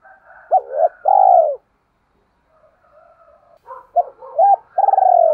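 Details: Spotted dove kept as a lure bird, calling to attract others: two low phrases, each a pair of hooked notes and a drawn-out throbbing coo, separated by a faint gap.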